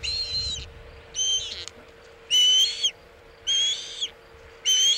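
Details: Wild osprey on its Chesapeake nest as a bluefish tail is brought in, afternoon of 27 August 2019: longer, harsh, whistled squeals in separate bursts about a second apart, over a constant low hum.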